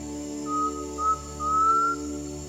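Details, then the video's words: Undulated tinamou giving its clear whistled song, a characteristic early-morning sound of river edge or low-lying forest: three pure whistles, each a little longer and slightly higher, over a soft steady musical drone. "the clear whistled song of the undulated tinamou is a characteristic early morning sound of river edge or low-lying forest"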